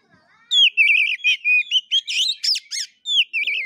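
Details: Fighting-style song of an oriental magpie-robin in the 'gaya kura kura' manner, shared for birdkeepers to rouse their birds: strong ringing whistles, rippling trills and sharp downswept notes in close, energetic bursts.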